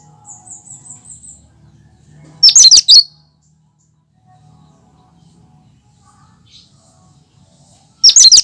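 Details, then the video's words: Pure, unmimicked song of a cucak kinoi in full voice, meant for prompting and luring other birds: a short series of soft high whistles, then a loud harsh chattering burst, and another burst about five seconds later. "Suara asli cucak kinoi"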